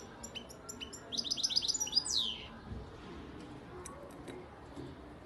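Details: Song of a 2019-hatched European goldfinch from Antalya, Turkey: scattered high tinkling notes build into a rapid series of bright, sliding chirps, ending with a falling slur, followed by faint soft calls over low background hum.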